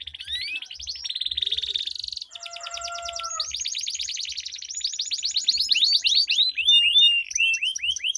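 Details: Canary duel of long rolling song for prompting stalled canaries: rising whistle, buzzy rattles, then long fast trills of repeated swooping notes from overlapping birds.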